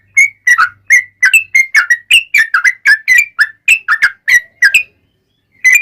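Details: Lively yellow-vented bulbul singing in a long trill, played as a lure to get bulbuls singing: a steady string of varied whistled and bubbly notes, rising and falling, with short gaps between them.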